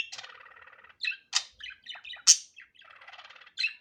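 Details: Unedited natural budgerigar chatter: buzzy rasping trills broken by sharp bright chirps and squeaks, ending in a quick high chirp.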